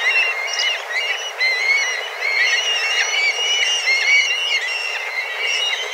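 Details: A large group of black kites calling hard while flying about looking for food; layered high whistled mewing calls, wavering and overlapping, no pause in the chorus.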